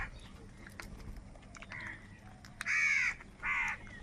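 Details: Crows fighting for food: faint, distant cawing at first, then two loud, harsh, buzzy caws close together near the end.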